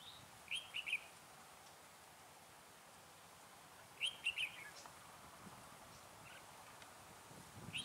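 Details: Red-whiskered bulbul used as a lure bird while trapping in cold weather of 12 to 15 degrees; short bright warbled phrases repeated about every three and a half seconds over steady background hiss.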